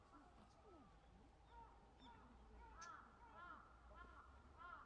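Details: Black-crowned night herons at a colony at Sanpoji Pond on 28 January 2024, giving harsh, hoarse croaking calls repeated at short irregular intervals, over a constant low rumble and background noise.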